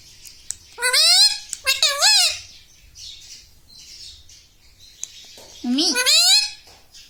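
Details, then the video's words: Talking pet parrot in a small room, trained to imitate mummy, papa and radhe radhe, giving two quick bursts of shrill, wavering speech-like syllables near the start, a pause with soft background hiss, then one more squawky phrase near the end. "parrots talking papa"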